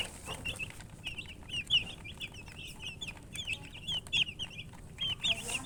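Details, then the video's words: Chorus of baby chicks: high, short, slurred peeps come in loose bursts, some bright downward-sweeping notes standing out, with quieter gaps between clusters and a soft low background rumble. "Baby "Chicks Chirping" Sound"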